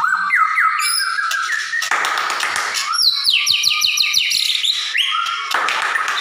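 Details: White-rumped shama from a collection in Comal, Pemalang, sung as a lure to provoke other shamas to respond aggressively and sing along: varied loud whistles, rapid repeated trills and sharp chips in quick succession, with bursts of rough hissing between phrases.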